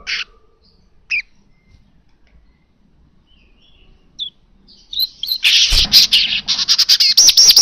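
A weaver gives a few thin, scattered chirps, then bursts into a dense, high, buzzy, sizzling chatter of rapid notes.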